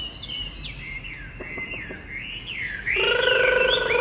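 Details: Just out of its covered box, a caged Chinese hwamei sings wavering looping whistles with soft clicks beneath. The song then switches abruptly to a loud, harsh, rasping phrase rich in overtones.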